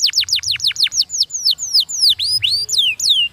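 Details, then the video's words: Canary singing a fast song: a rapid run of high, steeply down-slurred whistled notes at about seven per second, then a shift to varied sweeping phrases, including a rising whistle and further downslurs. A faint low hum sits underneath. "Stimulating the sound of a canary is fast-sounding"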